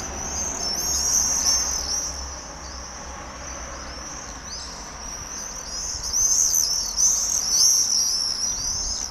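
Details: A flock of common swifts circling in Holstebro, Denmark, with dense, piercing high screams that rise and fall in overlapping waves over a steady low background hum.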